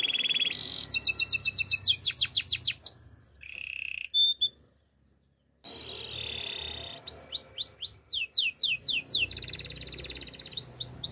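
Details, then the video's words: Russian canary singing a quick series of clipped trilled notes and a short buzzy phrase, then a brief pause, followed by loud rising swooping whistles with a faint low hum behind. "Canary birds chirping - Russian canary song"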